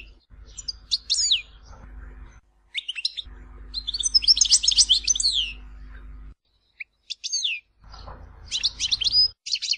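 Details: European goldfinch singing the Algerian Tizi Ouzou song style, recorded as a tutor for young birds: high, rapid twittering phrases with buzzy trills, in three bursts broken by short pauses, over a low steady hum.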